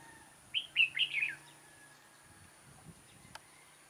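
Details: Decoy red-whiskered bulbul at a trap, 6 October 2018, gives a brisk phrase of four clear whistled notes, slightly falling at the end, followed by faint low rustling and a single click.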